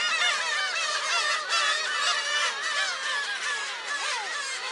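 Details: A crowd of black-tailed gulls at a shrine, Friday July 10, producing a continuous wall of honking, mewing cries with curving, wavering notes and no quiet gaps.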